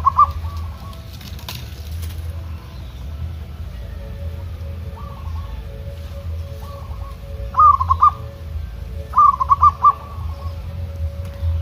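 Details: Zebra dove, a local bird taken into open country to sing back and forth with wild doves. Faint distant coos early on, then two loud clipped trilling phrases near the end, over low rumbling noise.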